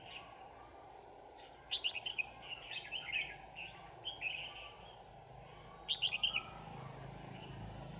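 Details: During trapping on 25 November 2018, a red-whiskered bulbul gives bursts of quick, chirpy warbled notes separated by pauses, with a faint high ticking insect-like pulse and low steady hum behind.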